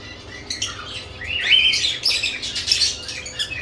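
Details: Lovebirds busy with newly added nest boxes give a swelling run of high squeaky chirps and a rising whistled note, dense twittering continuing to the end.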